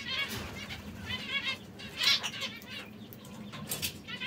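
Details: Brown, red and yellow canaries utter repeated high chirps in small clusters every half second or so, with light wing flutter in the background.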